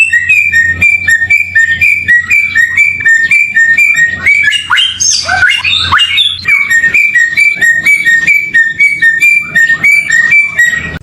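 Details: Samyong bird song from a clear tutoring recording: a long run of rapid, bouncing whistled notes alternating between two pitches about four times per second, briefly broken by harsher mixed calls mid-way.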